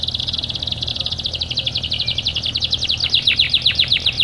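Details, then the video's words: Singing canary used to make quiet canaries start singing: a rapid, high, rattling trill that gradually slows and grows louder into distinct chipping notes toward the end. "gunakan kenari gacor ini untuk memancing kenari malas bunyi"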